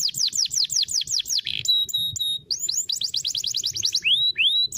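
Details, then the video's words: Canary in full song, used as training song for young canaries: a run of repeated swooping chirps, then flat whistled notes, a fast rattling roll of rising notes, and two long upswept whistles to finish. "Kenari gacor cengkok mewah"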